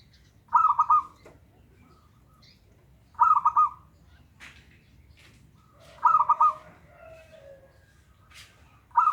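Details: Lure recording of a local zebra dove for birds slow to sing: rolling pulsed cooing phrases recur about every three seconds, with faint chirps and clicks between them.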